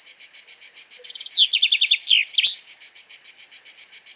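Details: Male common chaffinch (Fringilla coelebs) singing in a pine in Greece while another male eats seeds nearby: one quick, descending run of bright notes ending in a short flourish, over a steady high pulsing chirr like crickets.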